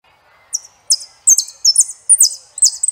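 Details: Saffron finch song from a singing-training recording: a run of short, very high, buzzy, slurred notes grouped in quick bursts that grow busier and more rapid toward the end, with a faint low hum underneath.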